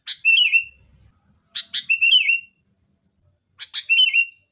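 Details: Sooty-headed bulbul song as a lure to make caged birds sing: three phrases, each a sharp click-like note followed by a bubbly falling whistle, about two seconds apart.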